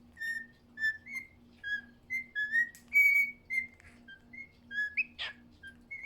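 A cockatiel whistles a tune of clear, rising and falling notes to court his mate.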